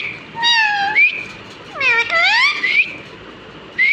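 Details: Pet talking parrot mimicking human speech: clear, tonal, speech-like phrases with rising and falling glides and rich overtones, separated by short pauses, ending with a brief upward squeak, in a quiet room.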